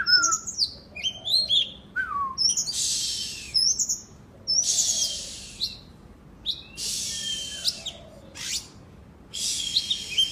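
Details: Oriental magpie-robin in Indonesia, song played as therapy to get lazy birds singing: high whistled phrases and quick slurred notes alternating with loud harsh rasping bursts, separated by short pauses.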